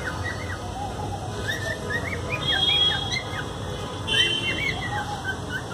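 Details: Several pet cockatiels at home trade short, chirpy whistled calls, some rising or falling, overlapping throughout, over a steady low hum.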